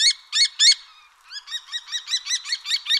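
A Common Kestrel gives three loud, harsh notes, then a quicker run of about ten shrill, ringing 'kee-kee-kee' notes, high-pitched with no other sounds.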